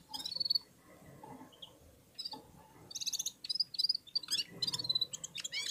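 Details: Red-fronted serins (Serinus pusillus) singing in unison again after feeding, with other birds including a goldfinch: bursts of high, rapid twittering trills with thin tinkling notes, several voices overlapping, and other small birds chirping alongside.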